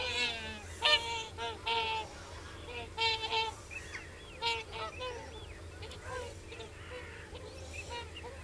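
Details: Several common cranes trumpeting: loud, rich, bugling notes in rapid clusters at first, fading into softer overlapping calls and rising yelps, over a steady low-pitched background drone.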